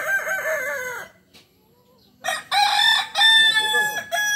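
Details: Kukuak Balenggek cock from Solok, West Sumatra, a breed whose crow rises and falls in 3 to 19 stages: a wavering crow, a pause of about a second, then separate bright crowing steps in quick succession.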